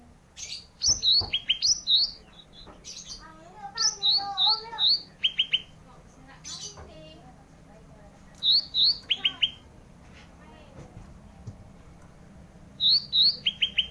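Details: Olive-backed tailorbird singing actively, an isian (filler) recording: bursts of three to five high, sharp, downslurred whistled notes, repeated every few seconds, with softer lower warbling and faint chatter between bursts.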